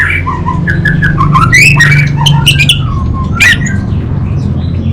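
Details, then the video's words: Orange-headed thrush (anis bata) singing vigorously, with a loud 'kabel konslet' style: a run of varied whistled notes and slurs mixed with sharp high chips, over a steady low engine-like hum. "ANIS BATA Berkicau Gacor"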